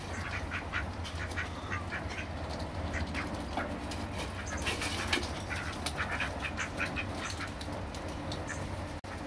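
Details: Ducks fighting, recorded on a Panasonic SD9; dense overlapping quacks and clattering calls from several birds over a steady low hum, with a brief dropout near the end.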